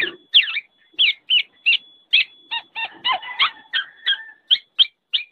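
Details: A training recording of the kepodang, the black-naped oriole: crisp descending chirps spaced regularly, a mid-phrase patch of lower chattering notes, and a faint steady tone running underneath.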